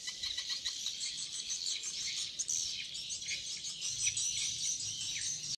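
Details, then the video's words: Swiftlets make a dense, continuous chatter of high, thin chirps and twitters that overlap without pause, like a busy colony. "Swiftlet sound"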